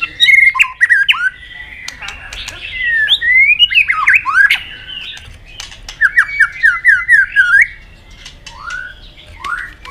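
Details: White-rumped shama, a fired-up bird tail-flicking in competitive singing, delivers varied whistled phrases with slurred rising and falling notes, rapid trills and sharp clicks, loud and close in a small room.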